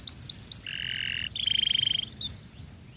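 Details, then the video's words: Canary singing to stir other canaries to sing: quick rising swept notes, a flat buzzy trill, a fast rattling trill of many even pulses, then a long thin whistled note, with low steady background hum. "Suara Burung Kenari Gacor Full Isian Mewah Tembakan Tajam..Paling Jitu Buat Pancingan Kenari Lain"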